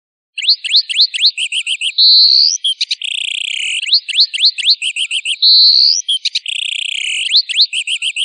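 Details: Long Tail bird master song for training: a looped phrase of sharp rising whistles, rapid chirped trills, and a drawn-out rising buzzy note, repeated about every three and a half seconds, with no other sounds.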